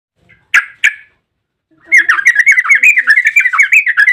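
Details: Yellow-vented bulbul giving an excited long ropel song, used as a lure to make other bulbuls sing: two sharp, loud notes, a pause, then a fast run of bubbling, warbled notes repeated without a break.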